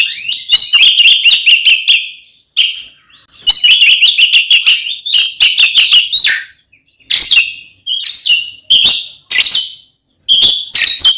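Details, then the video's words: Fighting song of an Oriental magpie-robin, or kacer, used to make rival birds emotional; long loud bursts of clear whistles mixed with crisp clicks and sharp downslurred notes, broken by short pauses. "SUARA BURUNG kacer gacor NGEPLONG TARUNG ini paling AMPUH buat PANCINGAN KACER agar EMOSI"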